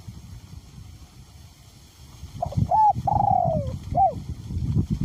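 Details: A spotted dove decoy bird with a small-to-middle voice coos through strong wind. After a quiet, gusty start comes one phrase: a brief clipped note, a long sliding-down coo, then a short arched note.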